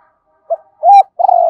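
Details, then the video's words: Spotted dove used as a lure to attract wild doves, giving a short coo sequence: a brief soft note, then a longer rising-and-level hoot, then a drawn-out mellow coo that falls slightly at the end. "Chim Cu Mồi gáy gọi kích bổi hiệu quả, tiếng chim cu gáy"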